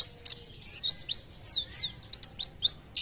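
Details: Pleci (white-eye) song believed to set neighbouring birds singing: varied high, curving whistled notes, some rising and some falling, strung together quickly over a low background hiss.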